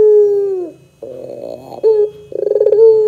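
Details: Puter pelung, the Barbary dove, calling in a lure track for young doves: the tail of a long low coo drooping away, a rough buzzing warble, a short clear note, then a quick throbbing chuckle rising into a steady coo.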